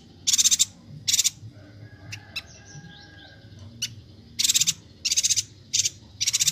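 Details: Bornean yuhina calling busily for songbird training: two buzzy rattles, a quiet pause with a few thin chips, then a quick string of rasping pulsed bursts. Faint low rumble runs throughout.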